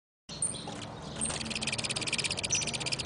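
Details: Saffron finch; mating call; mating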